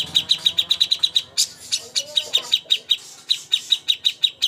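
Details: Cucak hijau contest master song: evenly spaced sharp whistled chirps, a brief break with one harsher note, then the steady high chirping continues.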